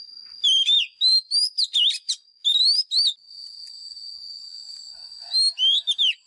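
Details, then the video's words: Fighting song of a White-rumped shama used to train caged birds: rapid runs of bright, looping whistles and clipped chips in two long bursts, with a constant high-pitched hum underneath. "Chòe than mồi # Chòe than mồi Hót đấu CHIM RỪNG || Luyện giọng chòe than hót"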